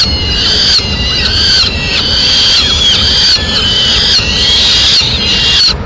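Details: Peregrine falcons at a Madrid nest, 4 May 2016, as the male brings a swift for the chicks' breakfast and feeds them in pieces: harsh, buzzy, wavering screams run almost without pause, pulsing about once a second.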